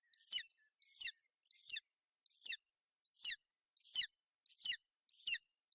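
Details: Bucovina golden eagle nest, 28 May 2021, the female keeping her chick warm and dry in poor weather. Eight loud, shrill, falling chirps repeat steadily about every 0.7 seconds.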